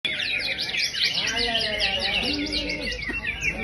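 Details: Greater green leafbird, called a champion bird: a dense, fast stream of chirps, trills and sweeping whistled notes that runs without pause, with a steady high hiss behind it and faint low tonal sounds, perhaps voices.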